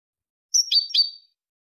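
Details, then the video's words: European goldfinch, Malaga song type for tutoring chicks and hybrids: a short, high, liquid phrase of three linked chirps ending in a thin, slurred whistle, under a second long. "jilguero malaga لغة كوبيا ملقا تلقين وتسميع فراخ الحسون و الهجين"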